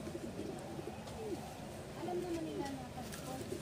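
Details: Pigeons kept in a Filipino racing loft, shown bathing; low cooing with rising then falling notes repeats through the clip, with a few short clicks and faint background noise.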